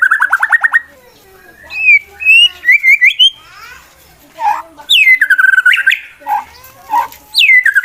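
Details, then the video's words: A male contest white-rumped shama provokes rivals with a fighting song. A quick trill opens, then rising whistles and slurred notes follow. Bright, swooping whistled phrases come after brief pauses. "MURAI BATU LOMBA NGAJAK LAWAN TARUNG, EFEKTIF MANCING EMOSI TARUNG MURAI LAIN"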